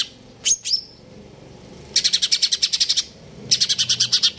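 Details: Greater green leafbird (cucak ijo) giving its kejer nembak song: two sharp high sweeping whistles, then two bursts of fast, regularly repeated shrill notes, each about a second long, over a quiet background.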